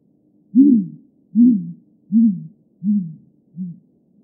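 A great grey owl gives five very deep, soft hoots, evenly spaced less than a second apart, each a little quieter and shorter than the last.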